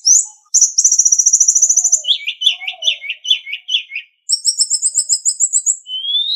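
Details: Hill blue flycatcher master song for training captive songbirds. A rapid high trill of many quick notes is followed by a lower chattering run, then another fast high trill and a rising whistle.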